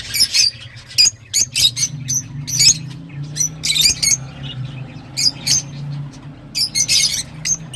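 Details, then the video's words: Lovebird's shrill, piercing squawks repeated in short bursts roughly twice a second, loud and harsh, with a low hum underneath. "تغريدروز/صوت روز /Love Bird Sound"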